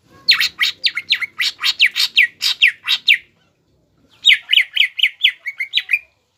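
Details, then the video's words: Caged cucak ijo, greater green leafbird, in provoking gacor song: harsh descending chirps in a rapid string, a pause of about a second, then a second shorter volley of slurred notes. "CUCAK IJO GACOR MBESET MEMANCING EMOSI LAWAN AGAR JAMTROK DAN JAMBUL"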